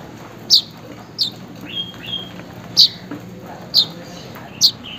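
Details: Weaver calling a rival or mate, used as a lure for a weaver that has gone quiet: short sharp high chirps repeated about every second, with a few fainter thin whistles between them over a low steady hum.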